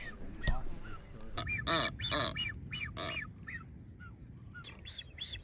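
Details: Courting blue-footed boobies among multiple nesting pairs, North Seymour Island, Galápagos: a few faint whistles, then two strong nasal honks near the middle, followed by a scatter of short bent whistles and lighter honks.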